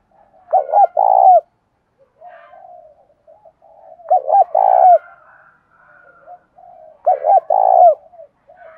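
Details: Spotted dove cooing used to excite decoy doves into calling: three repeated phrases about three seconds apart, each two brief hollow hoots then a longer trembling coo, with soft low mutterings between them.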